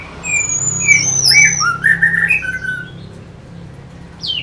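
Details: Orange-headed thrush lure song for rousing fighter birds, made of high sweeping whistles and a few mid-pitched slurred notes, fading to quiet after about three seconds over a low hum.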